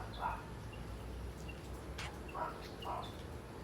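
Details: Asian glossy starlings making noises while feasting on ripe papaya fruit: short whistled and buzzy notes, a few scattered over a few seconds, over steady low rumbling background noise.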